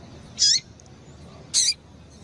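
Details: A female Double-collared Seedeater gives two short, high, thin chip notes about a second apart, over a faint low hum; the call is used to stimulate males to sing.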